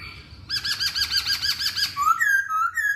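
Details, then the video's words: Masked laughingthrush singing a fast run of about ten rolling, arched notes, followed by clear rising and falling whistles. "Kicauan Poksay Hongkong"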